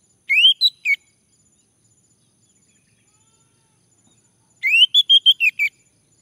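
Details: A male orange-headed thrush, induced to sing, delivers a smooth rising whistle with two short follow-up notes, then after silence a longer phrase of rising whistle and five evenly spaced notes.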